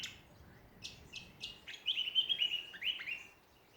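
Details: Australian songbirds in a backyard at Ballajura, Western Australia: a few sharp descending chip notes, then a bright run of warbled, slightly downslurred whistles, against quiet background.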